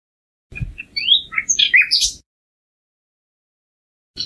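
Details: Common nightingale, a migratory bird of Europe and Asia: a short burst of about one and a half seconds of varied twisting chirps and squeaky slurred notes, followed by silence.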